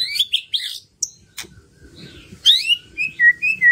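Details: White-rumped shama singing as a lure to prompt quiet birds into song: sharp clicks and chirps, then bright slurred whistles and short repeated fluty notes in quick succession.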